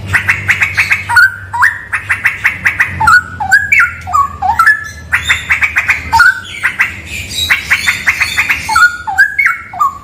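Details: Straw-headed bulbul, recorded in a cave said to be haunted, alternating quick bursts of bright staccato notes with liquid, stair-stepping whistled phrases, delivered continuously and energetically.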